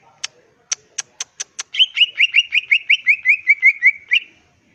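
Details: Wild greater green leafbird song played to incite other birds to respond: several sharp separate clicks, then a smooth run of about fourteen quick whistled notes drifting gently downward.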